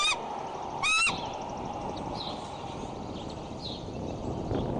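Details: Scolding from a mother bald eagle guarding her nest and chick at Decorah, 15 April 2012, after something alarmed her mate. Two sharp, loud, ringing squeals about a second apart, followed by faint distant chirps and a steady outdoor hiss.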